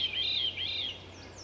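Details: A Veery, a thrush named for this call note, gives two slurred, whistled 'veer' calls, each arching high then dropping, back to back over about a second, with faint hiss, along Nicholls Lake Road, Sax-Zim Bog, Minnesota, in spring.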